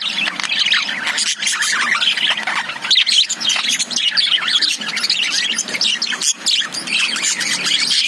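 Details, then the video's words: Lovebirds kept in a cage chatter loudly, shrill squawks and rapid chirps tumbling over each other without letting up. "Love birds sound"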